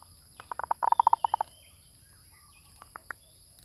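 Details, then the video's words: Zebra dove lure call: a quick stuttering run of about a dozen short, clipped cooing notes, bunched and loudest in the middle, then a pause and three spaced, slightly higher notes; quiet background. "Suara pikat | MERBUK"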